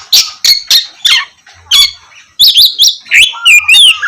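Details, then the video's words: Oriental magpie-robin singing its gacor song to lure lazy birds into singing in the morning: repeated rasping, buzzy notes about three per second, then rising and falling whistled slurs. "KACER GACOR cocok buat pancingan kacer malas bunyi dipagi hari"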